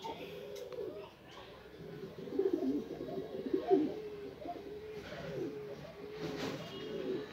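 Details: A black female Indian fantail pigeon gives low, soft, rolling coos, repeated in bursts about every second, over faint indoor background noise.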